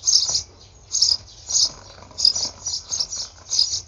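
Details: Eurasian tree sparrow nestlings, at least three and perhaps four siblings, in a nest on 28 May 2019, picked up through a nest monitor: high thin chirping bursts in short clusters roughly every half second to second.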